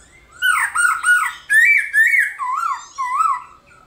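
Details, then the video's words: Black-throated laughingthrush giving a morning fighting song, played to spur other birds to sing: loud, rich whistled phrases that waver and slide between low and higher pitches, in six bursts separated by short pauses, in a quiet room. "Khướu bạc má hót đấu kích khướu căng lửa | khướu bạc má hót múa buổi sáng"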